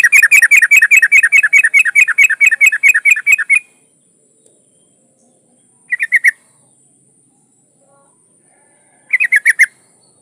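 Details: Yellow-vented bulbul female in breeding condition calling for a male, giving a long rapid series of bubbly chattering notes, then silence broken by two short bursts of three or four chirps several seconds apart.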